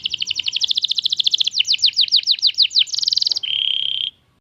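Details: Young canary delivering a fast rolling trill of clipped notes, then slower swept whistles, a rapid buzzy burst and a steady level whistled note before falling silent.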